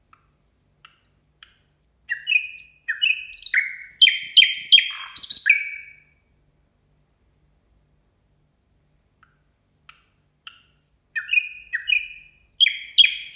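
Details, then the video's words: Nightingale singing at New Year in two bursts: three high, clear, rising whistles, then quickening falling notes and sharp clicky chirps, a long silent gap, and the same pattern again. "Соловей поёт на новый год."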